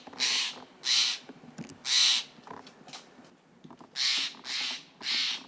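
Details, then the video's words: In a California forest, Steller's jays mob a male Northern Spotted Owl that had just carried off a mouse: six loud, harsh, raspy scolding bursts about one a second, with faint rustling between calls. "Jays mobbing owl"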